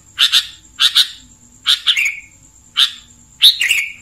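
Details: Sooty-headed bulbul, known locally as kutilang, giving clear bright song phrases: short chirpy double notes in five bursts about every second, some ending in a falling slurred tail, with a faint steady high tone behind.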